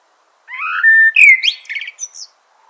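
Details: Common blackbird song phrase: a rising fluted whistle held steady, then a sweep upward and a burst of high scratchy twitter notes to close.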